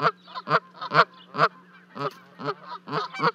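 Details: Canada geese at a nest 30 feet up near Charlo, Montana, on 12 May 2020, as two goslings leap down to join their parents, caught by a livecam: loud, harsh nasal honks repeated about twice a second, with a steady low hum.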